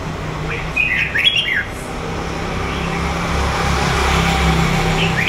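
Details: Red-whiskered bulbul from the wild A Lưới area of Huế, Vietnam, described as red-browed and two seasons old: a short burst of bright whistled, slurred notes mid-clip over a steady low engine or traffic rumble.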